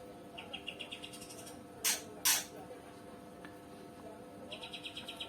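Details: A greater green leafbird kept for song training gives two quick runs of about eight high, bright chipping notes in mimicry of a bulbul, with two loud, harsh bursts of noise between the runs.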